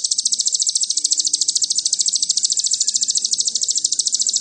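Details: Cililin-style sogon song played as a lure to provoke birds: a fast, piercing trill of closely spaced high notes, steady throughout, over faint background hum.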